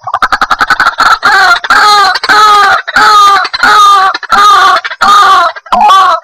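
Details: White-breasted waterhen calling, played as a trapping lure: a quick clicking run, then a series of loud, drawn-out, harsh croaks, each under a second long, with short gaps between them.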